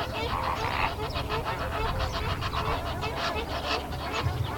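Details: Greater flamingo (Phoenicopterus roseus) flock, 19 February 2017: a dense, overlapping chorus of nasal, goose-like honks over a steady low rumble.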